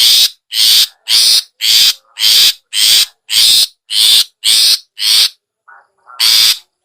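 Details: Long-tailed shrike (cendet) in the rapid 'ngetet' style, played as a lure to get sluggish birds singing: harsh, rasping broadband bursts repeated evenly about twice a second, then a short pause and one more burst.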